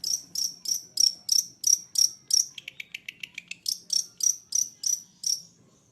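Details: Long-tailed shrike from East Java singing actively with a song full of varied phrases: a fast series of sharp, high chipping notes, then a quicker run of lower buzzy notes, then sharp high notes again, about three per second.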